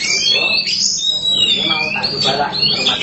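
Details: Oriental magpie-robin, black kacer form, gacor song: dense, high whistled notes and scratchy twitters tumbling together for three seconds, with a person speaking beneath.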